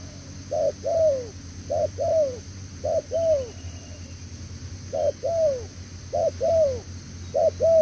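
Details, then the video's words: Spotted dove, a recently caught wild bird, giving its 'đèo lò xo' coo: short clipped note followed by a drawn-out descending coo, repeated steadily about once a second, with a faint constant high hum behind. "Thổ Tở Đèo Lò xo | Âm quá tốt"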